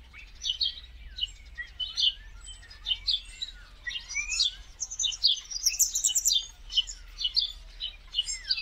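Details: In India, a huge wintering flock of migrant common starlings chatters together, with overlapping high whistles, sliding squeals, clicks and rattles running on without pause and no other clear sounds behind them.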